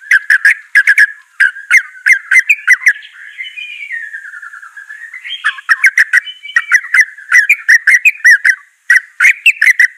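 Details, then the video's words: White-rumped shama singing for training a bird that is reluctant to sing: bursts of sharp repeated chips alternate with a long, smooth, wavering whistle that dips and rises mid-phrase. "Murai Batu Malas BUNYI Pasti LANGSUNG NYAUT NARUNG dan GACOR"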